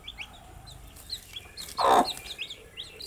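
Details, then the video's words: Cute newly hatched chicks give quick high peeps that dip and rise, with one loud burst of scuffling or tapping noise in the middle. "Cute Baby Chicks with chirping sound"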